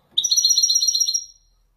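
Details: Wedani European goldfinch from Morocco singing authentic Marrakech descents: a single rapid, even trill of sharp metallic twitters lasting about a second, fading out cleanly into quiet.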